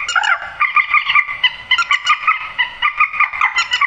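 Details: Nasal, honking grey-headed swamphen calling, played to draw birds into nets after dark, delivered as a nearly continuous chain of harsh, slightly squealing notes about one per second.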